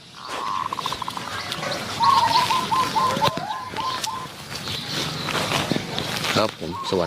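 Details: Zebra doves during decoy luring at Wapi Pathum, Thailand: a faint rolling coo at the start, then a louder series of about eight sharp, evenly repeated coo notes, with wing flaps, handling knocks and insect noise.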